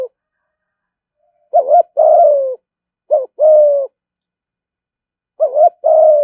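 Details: Caged ornamental spotted dove performing 'thúc gù' cooing, with low two-part phrases of a brief hooked note and a longer level-to-falling coo, repeated three times with short pauses.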